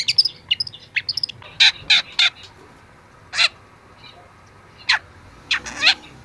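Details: Young long-tailed shrike in training song: scattered high chips at first, then three loud harsh notes in quick succession, followed by isolated single notes spaced a second or more apart.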